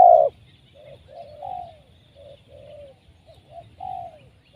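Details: Wild trapped spotted dove: one loud short coo, then softer low cooing notes, some gently falling at the end, spaced through the clip with faint low background noise.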